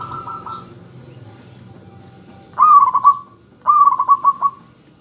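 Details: Local zebra dove singing as a decoy to make other doves answer. A faint trill fades out first, then two loud phrases about a second apart, each a sharp rising note followed by a rolling burst of beats.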